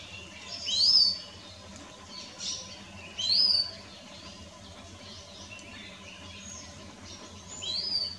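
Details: Common iora, a yellow bird, moving through bushes in Tamil Nadu, India: a few high, sharp whistled notes, each with a quick up-and-down slur, spaced roughly two seconds apart over a steady hiss of background insects.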